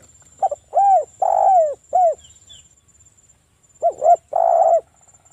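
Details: Local spotted dove singing loudly, played as a lure to set other doves calling: a soft stutter, a rounded coo, a long falling coo and a short coo, then a pause and a repeat of the stutter and long coo.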